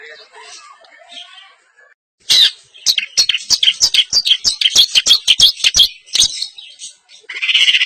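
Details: Long-tailed shrike of East Javanese semi blangkon type unloading its isian song: a fast rattling series of harsh clicks and chattering notes, then a loud buzzy, rasping phrase at the end.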